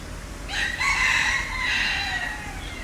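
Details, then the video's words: A single loud, trumpeting call from a green peafowl, recorded in 2022 with a Sony A7IV. The call holds steady with bright harmonics, then drops in volume and trails off, over light background noise. "Green Peacock"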